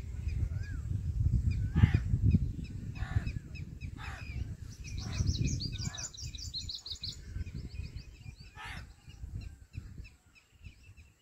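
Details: Jungle babbler chicks in the nest, waiting for their mother, give thin, rapid high squeaks mixed with a few harsh, rasping bursts, over steady low rumbling background noise.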